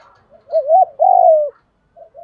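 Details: A single spotted dove coo used to provoke other doves: a wavering rising note running straight into a long, steady, slowly falling low coo, followed by faint softer notes.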